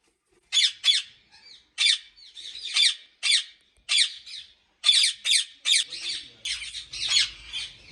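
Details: At a large ringneck parrot breeding farm in Pakistan, the birds call with grating, screechy squawks, often doubled, repeated irregularly over about eight seconds before turning into a denser chatter with a low rumble.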